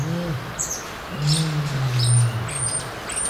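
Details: North African ostrich (Struthio camelus camelus), a threatened subspecies kept in a zoo breeding programme, gives a deep, hollow booming call that drones low for over a second after a brief low grunt, while small birds chirp thinly and high above.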